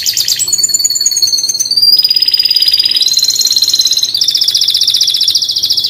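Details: Canary song of sustained high rolling trills, one steady tour after another, each shifting slightly in pitch, loud and continuous throughout.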